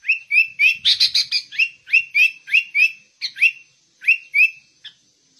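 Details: Sooty-headed bulbul singing vigorously in the ngegaruda style, a fast stream of clear upslurred whistled notes, a few harsher buzzy notes mixed in early, pausing briefly before resuming.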